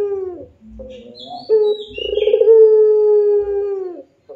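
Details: Barbary dove, puter pelung style, singing vigorously: a rising pulsed opening leads into a long, steady, low hollow coo held for about two seconds before fading, preceded by shorter tremulous notes.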